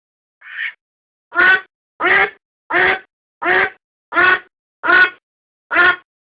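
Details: Domestic duck recorded as a decoy call: one short nasal note, then a steady run of seven loud raspy quacks spaced under a second apart, against silence.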